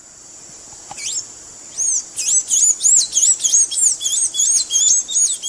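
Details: Song of the blue-gray tanager, meant for training caged birds: after a lone squeaky note, a rapid string of high twisting whistles runs on for over three seconds at about three notes per second.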